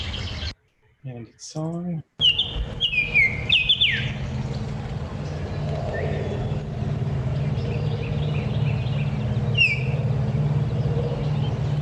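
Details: Baltimore Oriole, recorded away from the local area, with a bobwhite in the background: after a few seconds of speech, a run of clear whistled notes, several sliding downward, followed by a softer whistle near the end over steady low hum.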